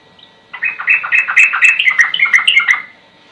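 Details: Sooty-headed bulbul delivering a ropel burst within its slow song: a rapid, continuous rolling chatter of bubbly whistled notes lasting about two seconds.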